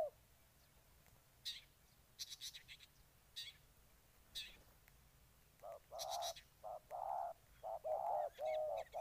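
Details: Spotted dove in Ninh Thuận: after about five seconds of sharp high chirps from other small birds, a run of low hollow coos begins, with short and longer notes following each other closely.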